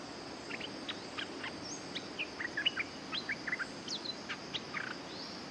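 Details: Streak-eared Bulbul lure calls, played to lure back an escaped caged bird: a lively series of short, sharp chirps and quick up-and-down notes, repeated several times a second throughout over a steady background hiss.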